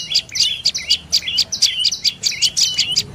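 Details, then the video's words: A dark-necked tailorbird repeats crisp, piercing chip notes about four times a second, each with a short downward flick, clear and close against a calm background. "เสียงนกกระจิบคอดำDark necked Tailorbird Sounds"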